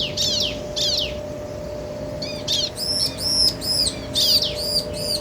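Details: Bar-winged prinia pair, male and female, calling back and forth: two sharp descending chirps, a pause, then a run of high arched notes repeated roughly twice a second.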